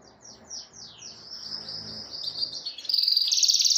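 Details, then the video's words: Canary song used to call a rival and prompt other canaries to sing: four falling high sweeps, then a buzzing run ending in a fast, piercing high trill. "SUARA KENARI GACOR MEMANGGIL LAWAN BIKIN KENARI IKUT BUNYI"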